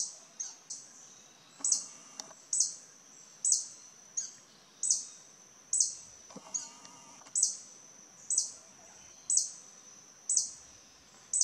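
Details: Wild violet sabrewing (Campylopterus hemileucurus) at Rancho Naturalista, Costa Rica, aggressively defending its territory from other hummingbirds with sharp, high chips about once a second in a steady series, with faint background birds and a soft forest hush.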